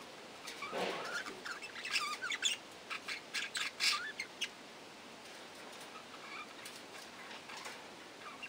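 Budgerigar chatter: a burst of scratchy squawks and quick high chirps over about four seconds, then quieter, against a steady background hiss.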